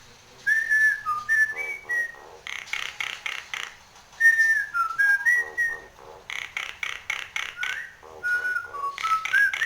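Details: Nias hill myna in full song while nodding: short clear whistled phrases of stepped, slurred notes alternate with long trains of harsh, buzzy pulses repeated about four per second.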